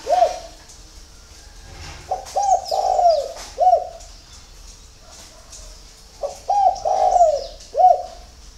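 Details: Early-morning cooing of a spotted dove kept at a farm in Ba Vì, Hanoi, Vietnam: two runs of short, hollow, stuttering coo notes with a longer rolling coo between them, and faint high bird chirps.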